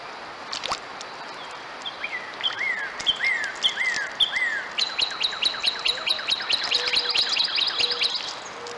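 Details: Pair of red-headed woodpeckers giving repeated downward-slurred calls roughly twice a second, shifting into a fast, high chattering series of short notes, with a few soft lower whistled notes and faint background noise.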